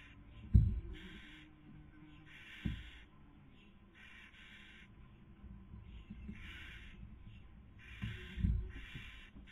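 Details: Barn owl pair at a nest webcam, Cabañeros National Park, Spain, 2020 breeding season, female feeding and male trying to sleep; drawn-out rasping hisses repeat through the nine seconds, with three loud thumps.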